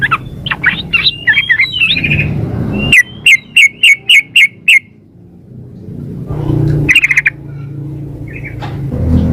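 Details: Female sooty-headed bulbul calling to a male: a quick run of clipped chirps, then a loud even series of six sharp notes, followed by quieter chirps over low rumbling noise.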